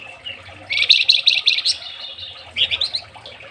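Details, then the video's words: A Javanese flamboyan, kept as a tutor (masteran) songbird, sings two dense bursts of rapid, high chirping notes, each lasting about a second, with short trills between them and a brief pause. "BURUNG FLAMBOYAN MASTERAN"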